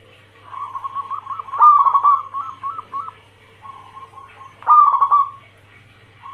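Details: Calling female zebra dove for luring males, local and Bangkok crossing cemani types: clipped repeated coo notes build to a loud stuttering phrase, a quieter run follows, then another strong rolling coo; faint low hum throughout.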